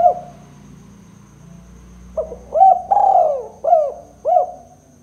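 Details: Two-note 'kuk 2' coo of a spotted dove, used as a lure for trapping. A lone coo, a quiet gap with faint low hum, then a run of low hollow coos: a clipped note, a drawn-out one and two short ones.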